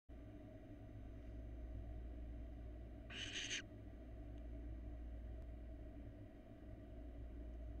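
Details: Barn owl nestlings preening each other's feathers at a nest box camera, hatched in February 2022; a single harsh, broadband hissing burst of about half a second over a steady low rumble.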